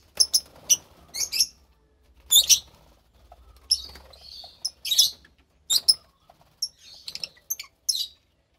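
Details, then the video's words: Two pastel-coloured lovebird chicks in captivity with quieter, scattered short squeaks and scratchy chirps, spaced irregularly, over faint low rumble. "Two Lovebird Chicks"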